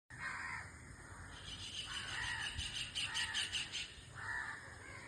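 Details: White-throated kingfisher giving harsh, grating calls, then a fast run of clipped pulses forming a rattling chatter near the middle, with a steady hiss of background noise throughout.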